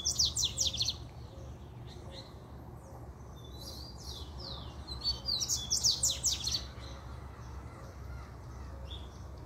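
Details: Fiery male coleiro, the Double-collared seedeater, delivering a puxada: a short burst of quick high slurred notes opens, a gap of sparse chips follows, then a second loud run of fast buzzy sweeps, all over a constant low hum.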